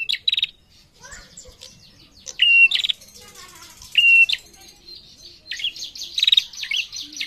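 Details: Female prinia calling to males: scattered high clicking rattles and short whistled notes, mixed with softer chattering from other birds in the background.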